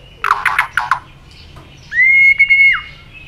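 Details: White-rumped shama, stimulated to fight-sing, opens with four harsh chattering bursts, then holds a loud, clear whistle broken by two brief dips before it slides down.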